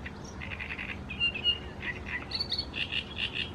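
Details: Great reed warbler recorded in Croatia, delivering a grating, chattering phrase of rapid harsh notes. Lower croaky bursts shift to higher, sharper squeaks near the end, with faint background hiss.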